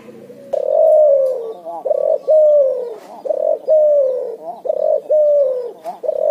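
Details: Ngoar nguku calling from a cuhu, a puter and spotted dove cross: a run of loud, hoarse coos, each sliding downward and repeated roughly every 1.3 seconds.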